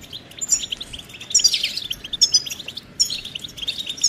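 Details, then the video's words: European goldfinch calls from a recording meant to make a silent male sing; sparse, softer high chirps and short twittering notes come at uneven intervals about once a second. "بتبتة فعالة و ستستة فتاكة رهيبة في علاج صمت الحسون"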